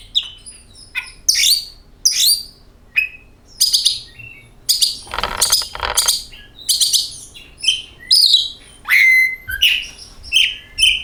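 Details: Oriental magpie-robin song used to lure kacer birds into singing: a lively run of varied chirps and whistles, many sliding downward, with one brief rough burst midway. The notes come at a steady pace.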